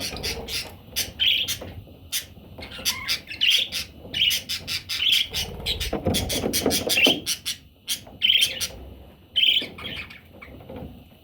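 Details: Parrot chicks calling busily, a dense run of sharp, high chirps and squeaks repeated every second or so, with overlapping rustling and soft low background noise throughout.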